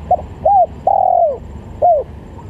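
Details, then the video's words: Spotted dove calling, used to lure doves for trapping: short arched coos at mid pitch, a quick note then a longer drawn-out downslurred coo, followed by another brief coo, against a low background hum. "Pikat Tekukur"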